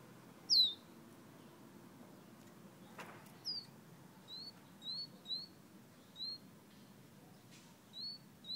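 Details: Fire red bird from Guyana whistling: short, high, slightly rising whistled notes spaced about a second apart, with one louder downslurred note at the start and a soft click in the middle.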